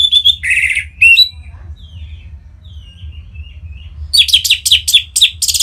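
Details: Orange-headed thrush from Singaraja, North Bali, singing to prompt other birds to sing: loud whistled and scratchy notes open the phrase, soft warbling follows after a pause, then a fast run of sharp repeated notes.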